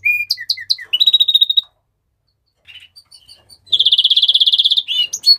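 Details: Mexican rosefinch song opening with soft descending whistles and a buzzy trill. A quiet gap follows, then a long, fast, high trill and closing chirps.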